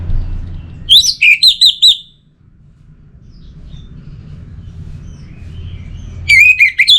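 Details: Orange-headed thrush song, used to stir quiet birds: a phrase of looping, rising and falling whistles, a long pause with low hum, then another clear whistled phrase beginning.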